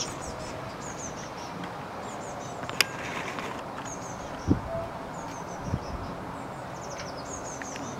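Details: A great tit chick sits on a balcony on May 29th, waiting to be fed, giving scattered runs of faint, high, piping notes. A few sharp knocks and clicks, plus a low rumble of background noise, are heard.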